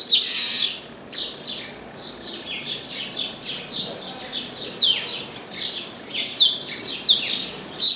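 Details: Chestnut-capped blackbird singing from an orange tree: after an opening noisy burst, a long sequence of high, clipped descending notes repeated at a brisk pace, with occasional piercing upslurred whistles.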